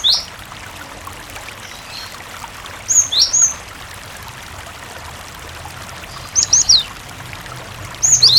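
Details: Cinereous tit singing over running water, used to lure other tits into calling; sparse groups of two or three high, sharply falling whistled notes spaced a few seconds apart, with the stream clearly audible throughout.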